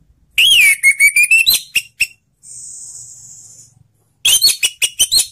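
An Orange-headed Thrush sings a loud sliding whistle, then rapid sharp chipping notes, a thin high buzzy trill, and another burst of quick bright notes.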